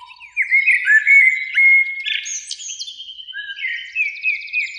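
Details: In spring, one of two blackbirds in a beech near a lake at evening pours out mellow fluted phrases with sliding notes, closing with a high twittering flourish; a faint low whistle sounds first.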